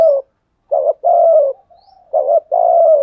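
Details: Lure spotted dove with a deep 'thổ sấm' voice calling: two-part coos, a short hooting note followed by a drawn-out falling coo, given twice.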